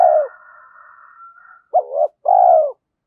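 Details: Spotted dove decoy bird urged into cooing, thổ sấm voice style: a fading coo tail with a thin steady whistle, then a short note and a long, slightly falling, throaty coo.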